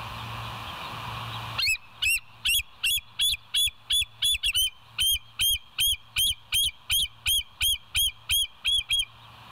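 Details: West End bald eagle, nest cam recording from 7 July 2023, early morning at 6:21: a long, steady series of shrill, squeaky piping notes, roughly three per second, begins after a short stretch of low humming background.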